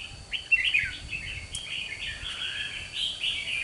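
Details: Display song of a red-whiskered bulbul, wild-caught and kept two months, performing in a fighting contest. Loud clear whistled notes slur downward into a chain of lively warbled phrases.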